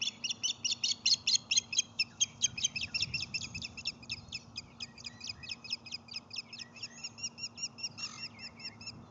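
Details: Osprey at a Lake Murray nest on 12 May 2020 near 7:58 am, filmed by nest camera during a whole-fish feeding of a chick hatched that morning; rapid series of sharp, high chirps, roughly two per second, gradually softening toward the end.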